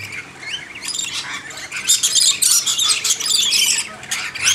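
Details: Backyard lorikeets flying back in after something scared them off during hand-feeding; the calling starts sparse and builds into a thick mass of shrill, scratchy screeches from many birds.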